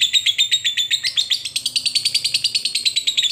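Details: Long ngekek chatter from a lovebird calling a rival: an unbroken stream of rapid, harsh, high notes repeated several times a second, with a slight rise in pitch partway through.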